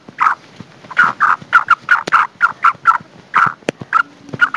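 A female black francolin gives harsh, rasping clucks in quick runs, about three or four a second, mid-pitched with a few sharp clicks between.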